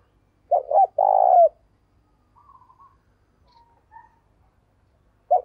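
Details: Decoy spotted dove calling in the morning to lure wild doves: one low cooing phrase of two short coos and a longer coo, then faint soft notes and silence, with another phrase beginning at the end.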